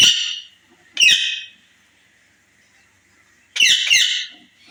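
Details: A pet talking rose-ringed parakeet, described as ready to breed for the first time, gives three harsh, raspy screeching bursts, two close together and one after a pause, with a faint steady whine underneath.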